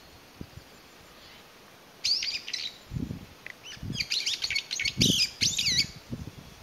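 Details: Lone Brown-eared Bulbul calling to find companions, May 2021; after a quiet start, a stream of loud, high, scratchy rising squeals with soft low thumps underneath.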